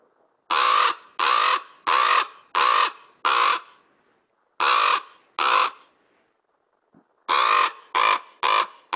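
A Common Raven gives eleven hoarse, grating croaks in quick runs, about one every two-thirds of a second, broken by short silences. No other sounds are heard.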